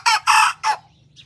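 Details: Young white Thai bantam rooster learning to crow, recorded in Phon Thong, Roi Et, in village life: a short, broken, hoarse crow in three loud bursts, the middle one longest, with a faint chirp after.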